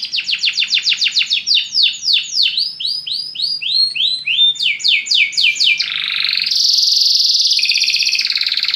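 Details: Belgian canary song for exciting other birds: a long series of rhythmic downslurred notes repeated several times a second, slowing and changing pitch, ending in a high dense buzzing roll.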